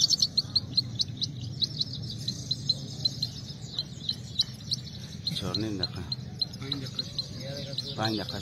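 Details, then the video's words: Singing-fight recording of Saira, the Himalayan goldfinch: a steady run of high, evenly spaced chirps and twitters continues throughout, while a man speaks briefly twice in the second half. "Himalayan Saira gold finch singing fight"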